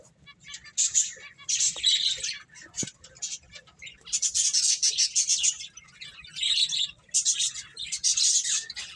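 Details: Playing finches chirp in high, bright bursts of rapid twittering that come and go, broken by short pauses and a single sharp click near the three-second mark.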